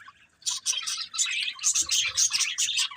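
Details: A breeding pair of budgerigars gives loud, dense chattering: a continuous stream of harsh, buzzy chirps in pulses about every quarter second after a brief quiet start.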